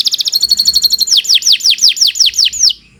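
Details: Canary, Kenari Nusantara, in full song: a quick string of high chips turning into a steady trill, then a run of loud, clear downward-slurred whistles about five per second.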